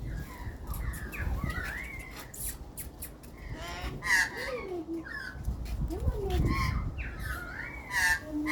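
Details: Hand-fed Australian magpies in Australia give a busy run of warbled, swooping tonal notes and short harsh bursts, with low rumbling noise and possible voices in the background.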